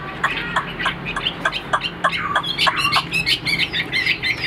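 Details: Tame caged Chinese Hwamei with a fine voice, producing harsh rapid clipped notes at first, then a string of brighter whistled phrases repeated at a brisk pace.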